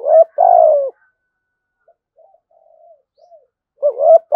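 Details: Spotted dove with a thổ sấm voice style, giving low, mellow two-part coos: a short rising note, then a longer steady hooting coo that falls away. The phrase opens the recording and returns near its end, with faint soft notes in between.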